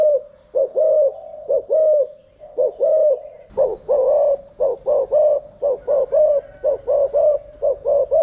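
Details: Decoy spotted dove cooing for voice training: hollow low coos in paired short and long notes, repeating steadily and growing denser and louder partway through, with a faint constant high-pitched whine behind.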